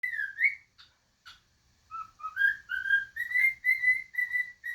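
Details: A happy pet cockatiel whistles and sings a tune of clear, rising and level notes, with a few chirps at the start; its repertoire includes "If You're Happy and You Know It" and the Castle theme.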